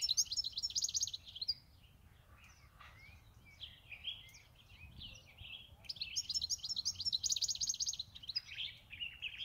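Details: European goldfinch kept at home for eight years sings bursts of rapid, high, jingling twitters, a quieter stretch of varied chirps and trills in between, then another loud bright twittering run.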